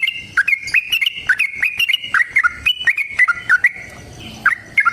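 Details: {'text': 'Bulbul giving a long rapid fighting song meant to provoke other birds to reply: dense run of short chattering notes, some dipping lower, tailing off into a brief gap before two final notes.'}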